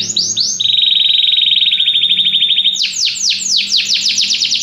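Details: Canary song with a burst of quick descending notes, then a long lower pulsed buzzy trill, then a string of louder, sweeping down-slurred notes repeated about three per second.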